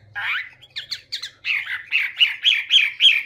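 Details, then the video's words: A Chinese hwamei sings a fast run of loud, harsh, slurred notes, about four each second, some rising into sharper squeaky accents; no other sounds. "Chim Họa Mi | Chim Hoa Mi Hót hay Nhất"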